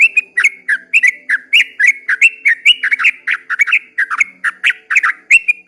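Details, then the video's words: At daybreak a yellow-vented bulbul pours out a long 'ropel' song, a loud, rapid string of bright chirping whistles that swoop up and down, with barely a pause between notes. "kicau suara trucukan ropel panjang di waktu fajar"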